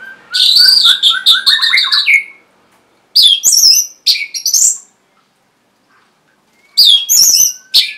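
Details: Orange-headed thrush song for prompting lazy or silent caged birds: a rich varied phrase of whistles and rapid chattering notes, some lower whistles mixed in, followed by further high bursts after pauses.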